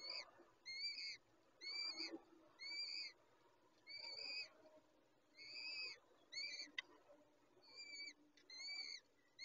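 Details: Peregrine falcon young calling while the mother feeds them: harsh, strongly harmonic squealing calls in paired bursts about once a second, steady over low background rumble and hiss.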